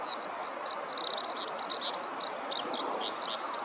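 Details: Eurasian skylark singing a long song from the ground in a nearby rice field, filmed close up; continuous high rapid warbling and chirping run over a strong steady broadband rushing background noise.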